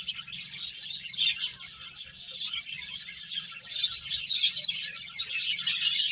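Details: Finches eating and playing together, filling the air with a constant jumble of sharp, high chirps and trills, rising and falling in bursts.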